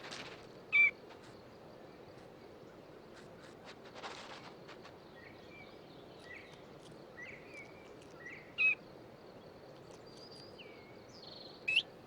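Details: Northern Bobwhites in a foraging covey keep in continuous contact with soft, high chirps and short whistled notes scattered through the clip, plus three sharper clicks or snaps over a low background hiss.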